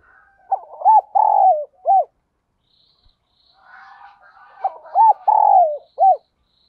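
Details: Decoy spotted dove luring wild birds: two loud cooing phrases of short arched notes, a long falling coo and an end note, separated by a pause with faint background cooing.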